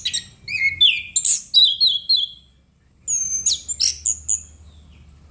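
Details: Chestnut-capped thrush singing vigorously: clear whistled notes and slurred falling phrases, high and varied, in two bursts separated by a short pause, with a faint low hum beneath.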